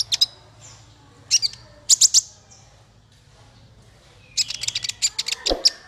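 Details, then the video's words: Male kolibri ninja sunbird singing for songbird training: scattered high sharp chirps, a quiet gap, then a fast run of twittering notes with a rising thin whistle, faint low hum behind. "Suara konin untuk masteran burung 100%jitu konin jantan"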